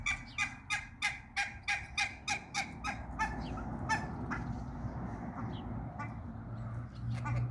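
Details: In a backyard farm with two males and one female hybrid runner and a mallard couple, a duck gives about nine loud, harsh quacks, roughly three per second, then scattered softer calls over a steady low rumble.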